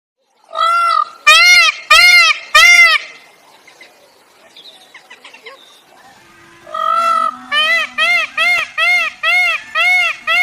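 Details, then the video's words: A black peacock (Indian peafowl) gives loud, nasal, wailing cries in two bouts: four quick notes, a quiet pause with faint background chatter, then a rapid run of about eight more. "Sound of Black Peacock"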